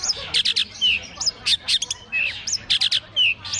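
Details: Caged long-tailed shrike on a pole at a bird singing contest, giving clipped high chattering bursts alternating with short thin falling whistles, the pattern repeating roughly every second, with faint background noise.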